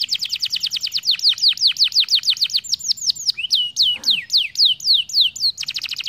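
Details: Canary singing as a model for young canaries learning rolls, a fast train of sharp downward-sweeping high whistles that slows into longer slurred notes before speeding up again, with a faint thump midway.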